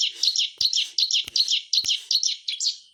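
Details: White-rumped shama song, a lively singer used to prompt quiet shamas to sing: high chirping notes repeated in quick, fairly even bursts about every third of a second, with a few sharp clicks between them.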